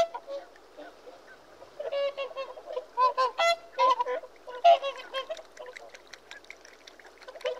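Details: A flock of Whooper swans giving repeated nasal, brassy honks, roughly one a second at the peak, the loudest run in the middle, fading into softer scattered calls.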